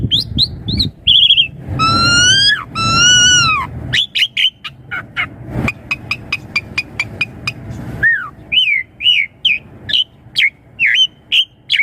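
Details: Asian pied starling in a richly varied lure song for young birds: long nasal tones at first, then a rapid train of sharp clicking ticks, ending in repeated looping whistled notes.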